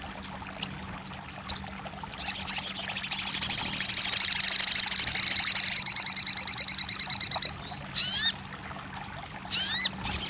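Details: Crested jay in therapy sound for a bird that has stopped singing: scattered sharp whistles, then a loud, long rapid high rattle that slows into distinct pulses, followed by swooping notes.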